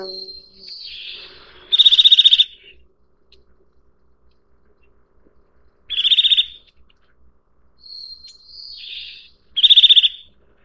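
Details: Eurasian nuthatch delivering three rapid high trills about four seconds apart; softer slurred, falling whistles come just before the first and third trills, with faint low rumbles in the background.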